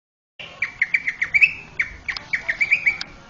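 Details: Sweet singing of a male greater green leafbird, a master recording for training young birds: a run of short, sharp chirps repeated roughly five per second, briefly pausing, then resuming with slightly rising notes.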